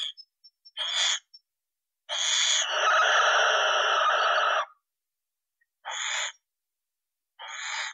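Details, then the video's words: Barn owl producing a run of harsh screeches: a few brief rasping bursts, then one drawn-out hoarse screech of over two seconds, followed by two more short ones. "Сипуха. Голоса птиц"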